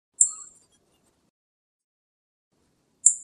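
A song thrush gives two thin, very high, clinking call notes about three seconds apart, with silence between them.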